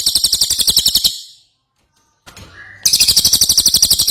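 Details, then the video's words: Ashy tailorbird singing prolifically: a high, buzzy trill of rapid pulses, roughly fifteen per second, lasting about a second, then a pause with faint low noise and a brief whistle, before the trill returns. "Cililin Gacor"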